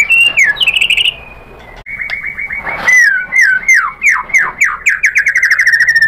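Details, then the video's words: White-rumped shama provoked into replying, giving a sustained whistle followed by a fast series of down-slurred whistled notes over a held tone. "MURAI BATU GACOR memancing EMOSI jadi NYAUT BONGKAR MATERI ISIAN"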